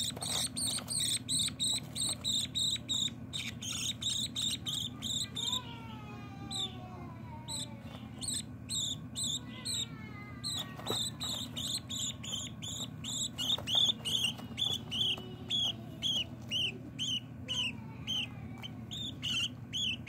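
Young budgerigars give rapid, raspy high chirps in a steady, insect-like series.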